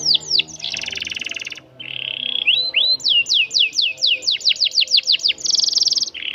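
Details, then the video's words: Long-rolling canary song used to teach young birds. It opens with falling whistles and a dense buzzy trill, then a low pulsed roll, about a dozen clear rapid downslurred notes, and a closing bright trill. "KENARI GACOR ROL PANJANG"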